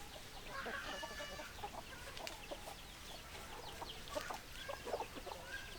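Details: Flock of chickens, hens and roosters, clucking in quick, overlapping bursts with a brief drawn-out call early on, busy throughout against a noisy farmyard background.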